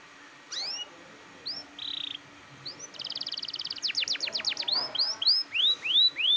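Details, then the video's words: Insistent canary singing, intended to trigger young canaries into song. Scattered chirps and a short buzzy roll lead into a fast trill, a run of steep downward sweeps, and finally loud arched whistles. A light background hum is present. "SUARA KENARI GACOR NGOTOT"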